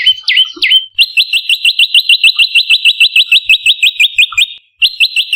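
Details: Lure sound of an olive-backed tailorbird to attract and train birds: two separate notes, then a rapid regular series of sharp hooked notes, a brief gap, and the series resumes.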